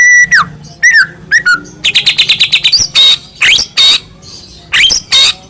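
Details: White-rumped shama song meant to provoke other shamas to answer and get agitated: falling whistled slurs, then a fast run of about ten even chipping notes, followed by several hard, noisy, buzzy phrases.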